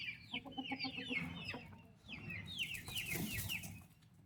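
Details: Active turkey chicks alongside their mother give overlapping high, descending cheeps over low rumbling, with a broad hissing rustle in the second half.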